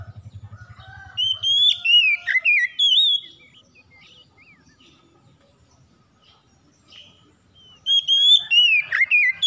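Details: Oriental magpie-robin singing: bursts of loud, clear whistled phrases with slurred rising and falling notes, separated by a long quiet gap; a low pulsing hum at the very start.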